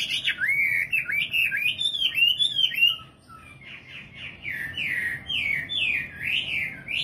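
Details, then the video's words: A nightingale pours out looping, bouncing whistled phrases, pauses briefly, then resumes with a softer string of repeated rising-and-falling notes. "Singing nightingale. amazing bird song"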